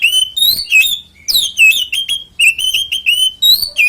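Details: Oriental magpie-robin (kacer) giving its 'ngeplong tarung konslet' fighting song, used to lure other magpie-robins into singing; loud, rapid whistled phrases with sharp downward-slurred notes in quick bursts, a short pause near one second.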